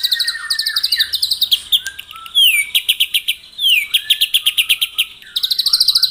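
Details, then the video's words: White-rumped shama singing in the morning to provoke rivals: rapid rattling chirp series broken by several downward-slurred whistles and varied phrases, with little background noise. "PAGI HARI! 100% AMPUH MENAIKAN EMOSI LAWAN AGAR GACOR & BONGKAR ISIAN ( TEMBAKAN MURAI BATU )"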